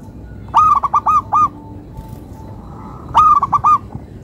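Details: Local Indonesian zebra dove giving its melodious cooing song: a sustained hoot trailed by three or four clipped, evenly spaced coos, the phrase repeated after about two and a half seconds of near silence.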